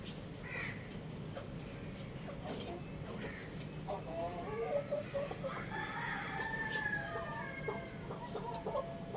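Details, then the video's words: Rooster crowing at a distance, a faint harmonic crow rising and wavering over several seconds amid steady background noise and scattered soft clucking sounds. "Adorable Rooster Crowing Compilation | Amazing Rooster Crowing Sound Effect"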